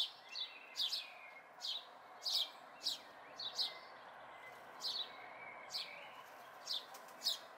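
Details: House sparrow fledglings near the recordist's home in May 2020 give loud, clipped chirps, single or in pairs, spaced unevenly about every half second, over a constant low hum of background noise.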